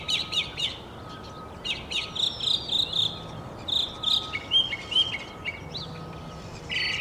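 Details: Northern mockingbird in continuous song, stringing together varied high phrases: rapid chattering notes, clear whistled slurs and buzzy bursts, each type repeated several times before switching, over a faint steady hum.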